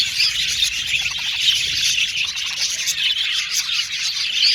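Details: Caged male violet budgerigars chattering as a group, a constant bright twitter of chirps and short whistles, dense and unbroken.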